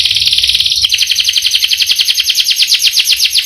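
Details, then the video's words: Canary singing a rolling trill that shifts after the first second into slightly slower, evenly pulsed high notes. "Burung kenari gacor ngerol panjang"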